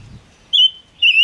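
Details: Gouldian finch song serving as a trapping lure: two sustained, high, level whistles, each lasting about a quarter second with a slight waver, separated by a short pause.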